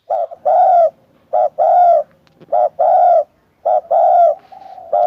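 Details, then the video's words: Spotted dove giving a steady series of soft, low coos. Each phrase is a brief doubled note leading into a drawn-out hollow coo, repeated four times at a regular pace of roughly one phrase every 1.2 seconds. "Tiếng Chim Cu Gáy cực hay"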